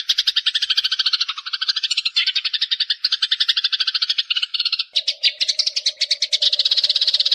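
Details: Harsh, fast chirp series of Eurasian tree sparrow, played to train young birds to sing, several chattering runs at slightly different pitches, around three notes a second, later joined by a faint steady hum.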